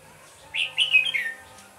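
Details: Red-whiskered bulbul used as a decoy in a trap in My Duc, Vietnam, on a late afternoon of 31 December 2017, singing to lure rivals: a brief bright phrase of slurred, warbled whistles lasting under a second.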